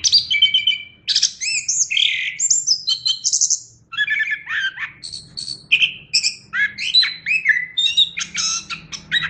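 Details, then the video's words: Chestnut-capped thrush song, a rapid, varied string of sharp whistles, buzzy trills and chattering notes, mostly high-pitched, delivered in short bursts with a brief pause near the middle; faint low hum underneath. "Suara Burung Anis Kembang"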